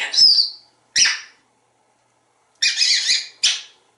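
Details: Talkative pet African Grey Parrot in a Texas home, uttering brief clipped speech-like syllables and a rougher double-part phrase after a pause, in a quiet room.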